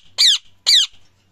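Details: Indian ringneck parrot giving two loud, harsh, shrill squawks, each about a fifth of a second long and sliding downward, separated by a short gap, with a quiet background.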